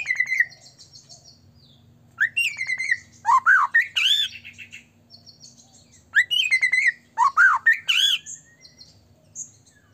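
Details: Loud white-rumped shama singing constantly, used as a lure to make other shamas sing and become agitated; two bold phrases of rich rising and falling whistles with rapid chatter, about four seconds apart, separated by soft high twittering.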